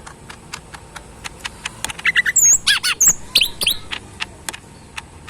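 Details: Tame pet cucak ijo mini, a lesser green leafbird in a cage, delivers a fast chattering phrase of very high whistles and squeaky, bending notes, framed by regular ticking clicks.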